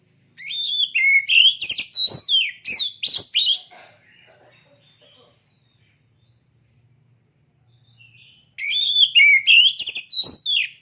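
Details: Two bursts of energetic song come from a caged competition oriental magpie-robin, with quick whistled slurs and harsh clicks separated by a quiet pause of several seconds.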